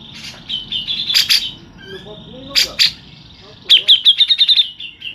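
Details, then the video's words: A local grey-cheeked bulbul sings a long rolling song of bright, high chirped notes, ending in a fast run of about eight quick descending chips, with a few sharp clicks between. "TEMBAKAN JENGGOT LOKAL NGEROL PANJANG"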